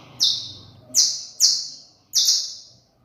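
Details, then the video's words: Saffron finch, known locally as canario criollo, delivering four bright, piercing notes that each drop quickly in pitch, spaced roughly three-quarters of a second apart, with a soft low hum underneath. "Canto de Canario criollo"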